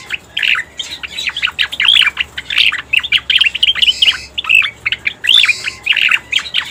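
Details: Striated grassbird lure recording: dense runs of sharp chirps and short downward-sweeping notes, delivered in rapid bursts with brief gaps, some higher buzzy notes overhead.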